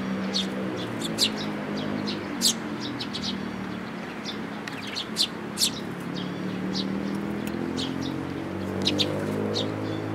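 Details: Sparrows with a chick, 18 May 2018: sharp high chirps scattered through the clip, some in quick pairs, over a steady low hum like passing traffic.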